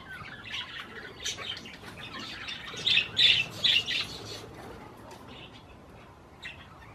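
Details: Budgies eating cherry tomatoes: soft twittering that builds into a loud cluster of squawky chirps midway, then fades to quiet, isolated notes.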